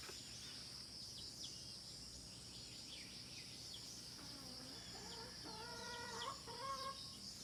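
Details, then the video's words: Hen calling near the end with several stacked, nasal clucks in a short run, after seconds of quiet filled only by a constant high insect drone and scattered small chirps. "The Sound of Hen."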